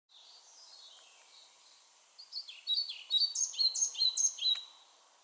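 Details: European pied flycatcher singing: a faint, thin, high descending phrase, then louder bright notes building into a rhythmic series of sweet, high two-part notes repeated rapidly, over steady low background noise.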